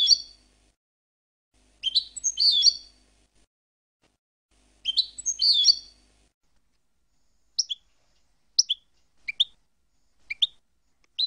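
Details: European goldfinch song from a compiled collection: two rich, jangling twittered phrases a few seconds apart, followed by a row of short sharp paired chirps about once a second.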